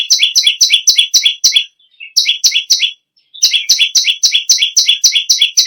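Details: Bar-winged prinia held as a cage bird and singing constantly: rapid series of bright, ringing double-noted chirps, broken by two brief gaps with faint soft notes, then resuming at the same brisk pace.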